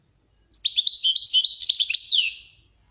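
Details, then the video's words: European goldfinch singing, a training recording: one rapid two-second phrase of bright, liquid twitters and tinkling trills, ending in a downward slurred note, with a clean quiet background. "غناء الحسون للتعليم مقطع قوي للحفظ"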